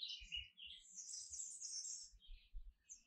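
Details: Quick canary song: a string of sharp, high twittering notes flowing into a bright, sustained trill, then more short chirps.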